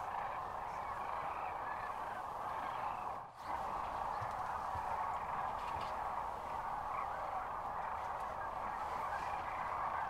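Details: Countless sandhill cranes at the Audubon center near Kearney, Nebraska, on March 13, 2014, calling at once in a thick, rolling roar that breaks off briefly after three seconds.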